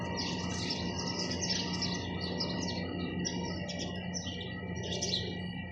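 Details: Sparrows chirping in a busy chorus of short overlapping high chirps, steady throughout, over a constant low hum and a steady mid-pitched tone.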